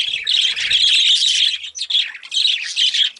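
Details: Excited budgerigars give loud, harsh squawks and high chirps in rapid succession, with the calls swelling and fading in uneven bursts.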